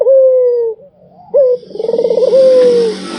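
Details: Barbary dove cooing tirelessly: a long falling coo, a short sharp note, then a rapid rolling trill into another drawn-out descending coo, with hiss rising toward the end.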